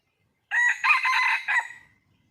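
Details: Red junglefowl, wild, calling for a mate: a single loud harmonic call, crow-like, in four linked segments lasting about a second, then fading into silence.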